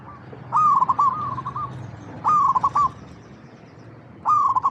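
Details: Zebra dove (local perkutut) in full song in natural habitat: three loud cooing phrases, each opening with a quick trill of clipped notes then a sustained coo, spaced about two seconds apart over a steady low background noise.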